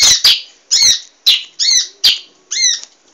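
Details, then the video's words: An emprit (munia) singing actively for a cage-bird training recording gives six sharp, squeaky, buzzy chirps in steady succession, roughly two per second, each with a bent, slurred shape. "masteran burung emprit GACOR"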